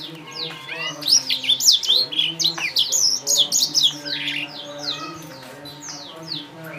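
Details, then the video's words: Blacktrout Somerini finch youngsters from a Klaten breeder: rapid, overlapping high twittering and short slurred calls that swell and then ease off, over a low background hum. "Anakan Blacktrout Somerini Suara Jernih Original"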